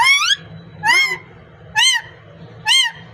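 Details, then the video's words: Parrot said to be speaking, recorded as natural sound: four loud, harmonic, arched squawks, each about a third of a second long and spaced roughly a second apart, with low background hum between them. "Amazing Parrot speaking natural sound"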